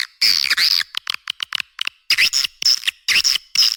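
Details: Swiftlet lure sound played to draw birds into swiftlet houses: loud buzzy, harsh twittering bursts alternating with short rapid clicks in quick groups, then more grating chirps; all high-pitched, no low tones, no other sounds.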